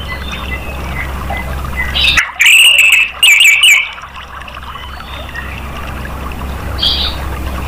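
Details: An orange-headed thrush gives a short clear whistled, slightly trilled phrase in two bursts amid steady background hum, a sound used to prompt other caged birds to sing.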